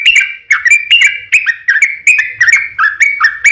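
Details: Vigorous long song of a yellow-vented bulbul, meant as a lure so others reply. Clusters of quick, bubbly, slurred notes tumble in short bursts roughly every half second.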